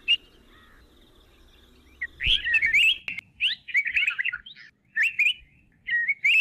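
Grey-headed bulbul giving quick bursts of bright, chirpy, slurred notes in four short runs after a quiet start.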